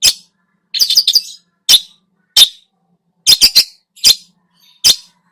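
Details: Lure song of a lively Long-tailed shrike packed with mimicked phrases: coarse, rasping notes, some alone and some in fast bursts of three or four, spaced irregularly about once a second.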